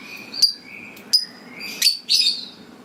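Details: Lovebird giving sharp high chirps and short rising squeaks at irregular intervals, with a noisy low hum underneath.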